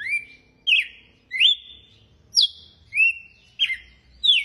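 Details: Açoite-style song of a red-cowled cardinal: seven bright slurred whistles, some rising and some falling before flattening into a held note, delivered in quick succession about every 0.6 seconds over a quiet low background rumble.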